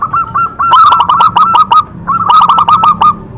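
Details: Local zebra dove with a big voice, giving two loud phrases of fast staccato coo notes, each about a second long, separated by a short pause.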